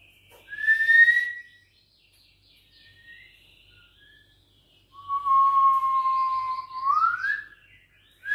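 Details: Juvenile white-rumped shama, six weeks old, Bahorok lineage, fighting back when challenged: a pure rising whistle, soft quiet notes, then a long steady low whistle ending in an upward sweep.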